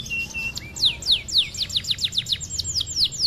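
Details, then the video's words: A canary sings a fast run of bright, high downslurred notes, about four per second, after a short steady whistle; a song-tutor recording for young canaries and other songbirds. "Kenari gacor"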